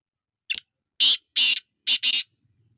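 A black francolin gives a short opening note, then four loud, harsh, grating notes in quick succession, the last two run close together.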